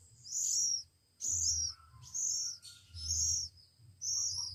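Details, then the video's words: Week-old Oriental magpie-robin chicks hand-fed; five loud, shrill, raspy begging squeals spaced about a second apart, with faint low hum. "Anak Kacer Umur satu Minggu"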